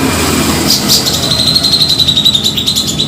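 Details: Lure call of a grey-cheeked bulbul used in trapping: a sustained, rapid, buzzy rattle on one high pitch, slightly pulsing, with low background hum.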